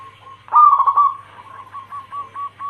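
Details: Calling female zebra dove, meant to attract a male, lure recording: a few soft coos, then a loud rolling, bubbling phrase and a tail of spaced short coo notes over a low hum.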